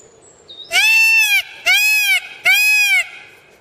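Peacock giving three loud, nasal, wailing cries, each arching up then down, in quick succession about a second apart, with a faint higher whistle before them.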